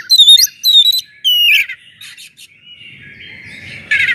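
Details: Loud lure song of an Oriental magpie-robin meant to rouse sluggish magpie-robins into singing: sharp repeated chattering notes and clear whistles, then a long thin whistle fading before a final buzzy burst.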